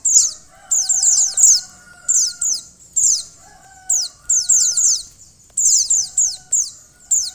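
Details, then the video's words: High-pitched falling notes from a female white-eye, used to stimulate the male to sing, delivered in tight bursts of three to five with short pauses, over a faint background drone. "pleci betina untuk mempercepat buka paruh pleci jantan"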